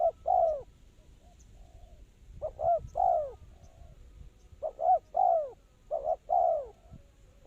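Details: Spotted dove kept as a trapping lure, cooing in repeated phrases: paired short notes leading into a drawn, downward-bending coo, with pauses between phrases and faint soft notes in the gaps.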